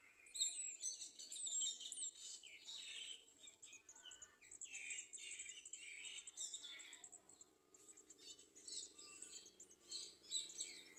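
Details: Olive-backed sunbird clinging to its nest to feed young, thin high chirps and twitters in quick irregular overlapping bursts over a soft low hum.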